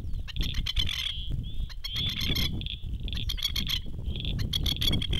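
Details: Masked lapwing parents standing on a dam shore give loud, sharp, rattling stutters in quick, near-continuous bursts, calling their chicks, which then swim from the island to shore; strong low wind rumble.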